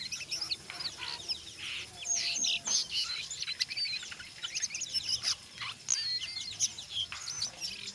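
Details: Brown jongkangan singing in an energetic chattering 'ngeriwik' style mixed with 'ngeplong', used as a lure to prompt other jongkangan to sing; rapid high twittering notes and short sweeps, densely packed and fairly soft.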